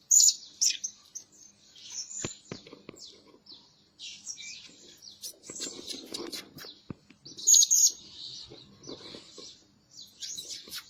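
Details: A lure Blue-crowned hanging parrot that calls day and night utters sharp, thin, high squeaks and chattering chirps in uneven clusters, broken by brief silent gaps.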